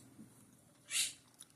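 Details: A pet Quaker parrot (monk parakeet) answers a person's spoken "peekaboo" with a single short, harsh, scratchy high squawk, followed by a faint click, in a quiet room.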